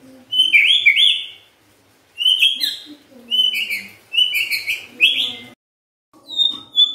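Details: Song of a white-rumped shama, played to spur other shamas into full song: short bursts of high, clear warbled whistles separated by brief pauses, ending in a thin, steady whistle.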